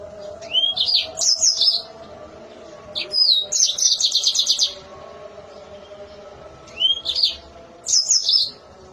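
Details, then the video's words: Mozambique canary in full song, sharp piercing voice: three short bursts, each opening with a rising whistled sweep then a fast buzzy trill, separated by pauses of one to two seconds; faint low steady hum underneath. "Si Cantik Mozambik Gacor Suara Melengking Tajam"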